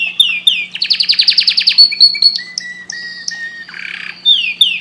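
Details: Canary song: a quick series of descending whistles, then a loud rapid trill of about a dozen notes, sustained high whistled notes, a short buzzy rasp, and more falling whistles.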